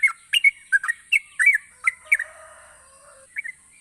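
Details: Yellow-vented bulbul in lively song, used as a lure for lazy singers: a run of gurgling, upslurred notes about three a second, trailing off into a pause and two final soft chirps; faint high hum throughout.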